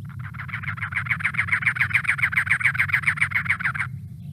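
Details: A pair of Cactus Wrens in winter (December–February) in Southeast Arizona give a harsh, rasping series of even, rapid chugging notes for nearly four seconds, like an engine trying to start, over a low hum.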